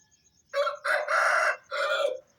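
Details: Aseel rooster crowing at dawn, about 4:30 am, as a farm wake-up call: a full loud crow of a short opening note, long strained middle section and falling final note, faint insect trill behind.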